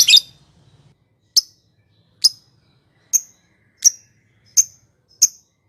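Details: Lovebird used as a lure to provoke rival lovebirds: a harsh burst, then single sharp high chirps spaced about every 0.7 to 0.9 seconds, with a faint low rumble behind.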